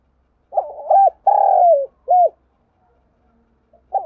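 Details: Spotted dove giving an urging coo, used for training decoy birds: a low, hollow phrase of a short double note, one long drawn-out coo and a shorter final one, then silence and a fresh start.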